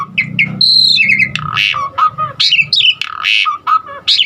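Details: Asian pied starling song, used to prompt other starlings to sing, rich in varied fill-in notes. It opens with clear high whistles, then harsh rasping bursts and quick slurred whistles, with a steady low hum beneath.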